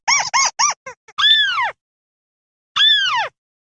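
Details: Crake lure sound with a quick burst of short arched squeaks followed by two longer down-slurred squealing notes, the second after a pause; clear and loud with silence between.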